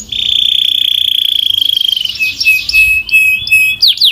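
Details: Belgian canary producing a steady, piercing rolling trill for two seconds, followed by a softer chattering run and scattered short whistled notes.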